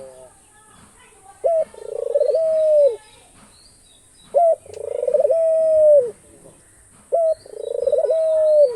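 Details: Cooing of an Australian dove: a quick opening note, a pause, then a long steady mellow tone that droops at the end. It is repeated three times roughly every three seconds over soft distant bird chatter.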